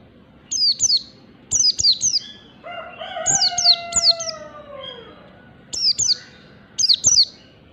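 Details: Oriental white-eye from the wild, used to lure birds: high, thin descending chirps in repeated pairs, interrupted midway by a lower, long, slowly falling crowing-like note.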